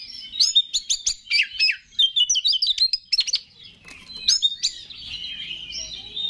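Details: Singing Oriental magpie-robin, played to stir other males: a dense burst of sharp whistles and downslurred notes, then softer warbling phrases with faint low background hum.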